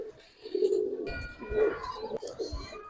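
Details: Giribaz pigeons kept in a collection, with low, soft cooing phrases in two bursts. Thin chirps from other birds and faint room noise run in the background.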